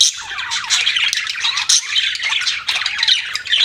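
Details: Several pet budgerigars keep up a rapid, scratchy twittering, with dense overlapping chirps, squeaks and short whistled notes in a steady, lively stream.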